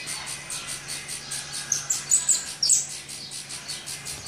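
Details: Hungry saffron finch chicks in the nest, being fed: rapid, thin, hissing high chirps pulsing about two or three times a second, over a steady low hum.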